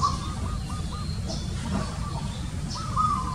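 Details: Zebra dove call: clipped, stuttering coos in quick succession, then a longer rolling trill near the end, set against a continuous low-frequency hum.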